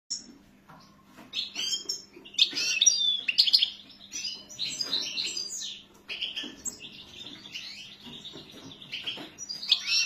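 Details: European goldfinch singing a lively, high twittering song of quick chirps, tinkling notes and buzzy slurs, with brief pauses and a faint steady hum underneath.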